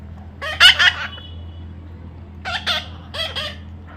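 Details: Baby parrot calling with two quick pairs of rasping, buzzy squawks, the first pair loud and followed by a faint thin whistle, over a steady low background hum.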